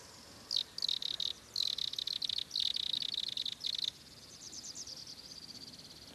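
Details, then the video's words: Cactus canastero in an ecological village, Alto Selva Alegre district, Peru, giving bursts of high, dry, rapidly repeated notes for about three seconds, then a fainter, fading trill. "Canastero de cactus"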